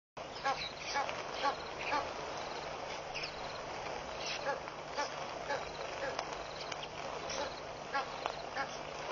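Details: Hundreds of red-billed queleas fluttering around a bush at Pete's Pond, Mashatu Game Reserve, Botswana, on 9 August 2013, making a dense, continuous chatter of sharp chips and twitters, with a faint low hum underneath.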